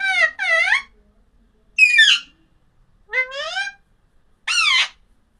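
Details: Loud, rich, harmonic calls from an Alexandrine parakeet: a quick double note, then three separate screeches, each with a rising or wavering tone, about a second apart, against a silent background.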